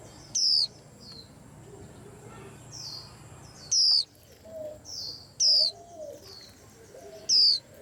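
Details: Four loud, high whistles from a white-eye, each gliding downward, at uneven intervals over about eight seconds. Softer chirps and twitters from a whole rack of excited birds fill the gaps.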